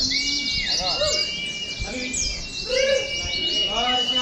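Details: Oriental white-eyes gathered in cages for competition-simulation training, many birds singing at once as a thick, fast, high-pitched twitter, with a few lower sliding whistles and murmuring people.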